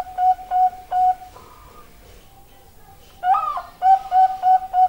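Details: Zebra dove song in two parts: three or four even cooing notes, a short fainter low note, a pause of over a second, then a louder rising introductory note and a fresh run of quick, level coos.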